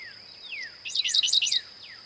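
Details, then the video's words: Singing Dickcissel of eastern North America: a fast run of sharp high chirps, with descending whistled slurs from other birds before and after, over a steady high-pitched hum. "Dickcissel Bird Song"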